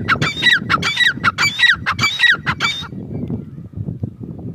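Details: Calls of a female grey francolin: a short burst of shrill, ringing notes repeated quickly for under three seconds, followed by only low rumbling background noise.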